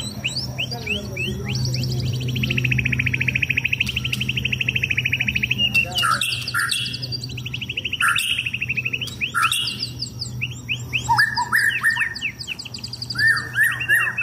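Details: White-rumped shama, a contest-ready caged bird, during its sunbathing session. A long buzzy rattling trill gives way to sharp varied notes and clear whistled phrases. High twitters from other birds and a low hum run throughout.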